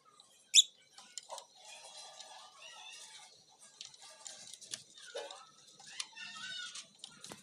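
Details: Pet cockatiels, grown up from babies, chatter with high, scratchy chirps and short whistled notes, one sharp call standing out early.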